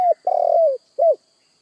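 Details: End of a spotted dove phrase: a clipped coo, a long vibrating coo gliding downward, and a short rounded closing coo, with a faint constant high whine behind.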